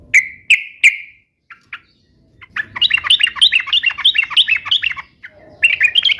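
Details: Sooty-headed bulbul singing, used to get pet bulbuls to reply: three loud clipped notes, a short pause, then a lively stream of quick rising and falling chirps, ending in buzzy notes.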